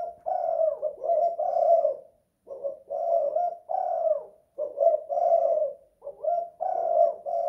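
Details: Spotted dove kept in a house, giving its 'kuk 2 / guk 1' coo: four mellow, hollow phrases of linked coos, each set apart by brief silences, in a quiet indoor room.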